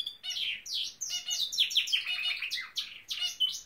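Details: Singing Norwich canary, a household pet, pours out dense high chirps and sweeping whistles, with quick warbled phrases and short trills running together.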